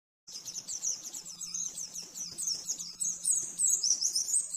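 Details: Oriental white-eye master song in the rapid 'nembak-nembak' style, used to train caged birds: after a brief silence, a dense, very high twittering rush of quick chirps runs without pause, with a faint steady low hum underneath.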